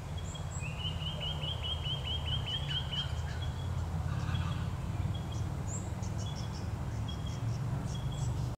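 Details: Golden Whistler (Pachycephala pectoralis) at Wattle Park, Melbourne, Victoria, Australia, on 21 August 2021, gives a quick run of about a dozen clear, ringing notes, then scattered single notes, over a low wind rumble with faint high chips from other birds.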